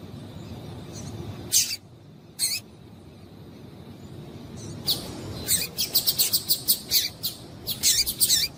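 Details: Calling female Double-collared Seedeater, used to make males sing: a pair of separated high, sharp chips, then a dense rapid series of short bright chirps for the last few seconds, with low rumbling background noise.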